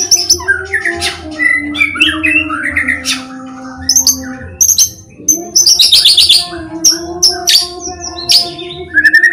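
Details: White-rumped shama song intended to set other shamas singing: varied warbled phrases, then bursts of very high, rapid trilling and chirps, with a steady low hum throughout.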